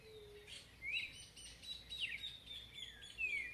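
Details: Chalk-browed mockingbird singing in a natural landscape: short clear whistled notes, some sliding up and others dropping, spaced about a second apart, over a soft steady background hiss.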